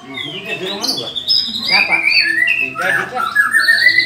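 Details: White-rumped shama singing during a mental test: a varied medley of rising and falling whistled phrases mixed with harsher chattering notes, continuous and loud.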